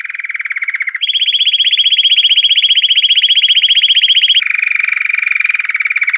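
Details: Belgian canary of the pure campainha song type: fast, even trills in three steps, a mid-pitched roll, a higher ringing trill for several seconds, then a lower roll.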